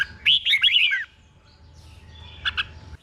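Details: Red-whiskered bulbul tutor song for caged birds in Thailand: one short, rich warbled phrase of rolling whistles lasting under a second, then quiet with a faint double chirp near the end.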